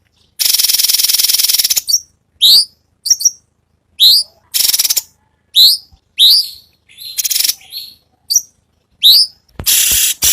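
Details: Cucak cungkok singing, used as master audio for murai batu and cucak ijo training: an opening loud buzzy rattle, then spaced, sharply rising whistled chirps about every half second, with further harsh bursts.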